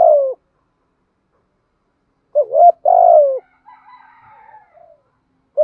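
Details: Spotted dove decoy cooing to stimulate other doves: two-part phrases, each a short double-peaked note then a long falling buzzy coo, repeated after gaps. A faint, thinner, higher call trails after one phrase.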